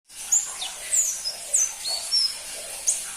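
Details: Crimson-breasted flowerpecker, known locally as pentis pelangi, giving very high, thin, sharp chirps and short whistled slurs. The notes come in separate bursts about every half second over a steady background hiss.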